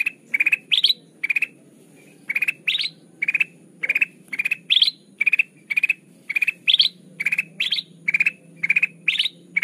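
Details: Bulbul (kutilang emas) song used as a trapping lure: a rapid, clear, repeated phrase of short chirped note clusters, some ending in higher rising notes, given about twice a second throughout, with no other sounds.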